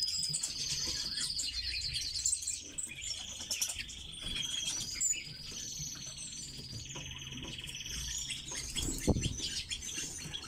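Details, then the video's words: Caged red-billed leiothrix sings long, fluty warbling runs of slurred whistles at a high pitch, with a sharp click near the end and low room hum. "Китайские соловьи"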